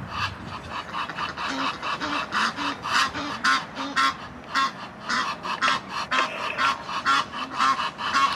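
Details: A rival Egyptian goose gander trying to win his female back: a long run of hoarse, rhythmic honks, roughly two per second, some louder and sharper notes mixed in, over a constant rough background.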